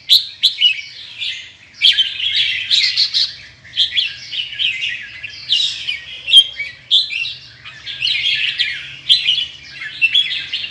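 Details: Indonesian red-whiskered bulbul with big red cheek patches, singing the 'ché' chattering style: long runs of fast, bubbling warbles and whistles in dense phrases, with short gaps between bursts and a quiet background.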